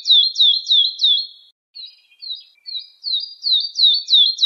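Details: Woodlark delivering loud down-slurred whistles in a steady series, a pause with softer notes, then the run resumes and strengthens; no other sounds.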